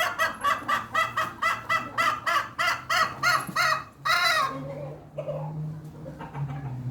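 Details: Hen giving an odd, unusual call: a run of about ten nasal, harmonic honking notes, roughly two and a half per second, then one longer note and softer trailing sounds, with a low steady hum underneath.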